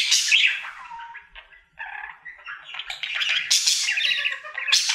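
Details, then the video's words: Pet budgie, male, singing as part of his daily routine: a loud squawky burst, a softer lower whistled note, a short pause, then rising chatter of clicks and scratchy warbles. "Budgie singing for 1 Hour Happy song!"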